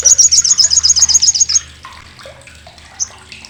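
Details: Olive-backed sunbird (Sriganti) chatter, loud, coarse and sharp, used to teach contest birds: a fast burst of high metallic notes, about four per second, lasting a second and a half, then faint chips and a single sharp note.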